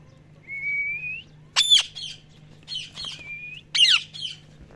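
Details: Parrot calling: a long, slightly rising whistle, then loud harsh squawks mixed with chattering notes, a second shorter whistle and more squawks, with a faint low hum beneath.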